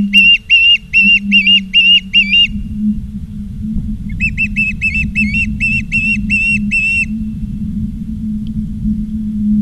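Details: Osprey on its nest in Charlo, Montana, 17 August 2023 in the afternoon, nest cam: two bursts of about eight loud, ringing chirps each, separated by a pause of over a second, against a faint steady hum.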